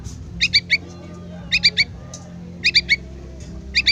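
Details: Yellow-vented bulbul chick calling its parent: quick triplets of sharp, high chirps, each burst repeated about once a second, four bursts in all, over a low steady hum.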